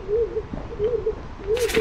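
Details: A stock dove gives low, soft cooing notes, each a gently rising and falling 'oo-woo', repeated roughly every 0.7 seconds, with a brief rustling noise near the end.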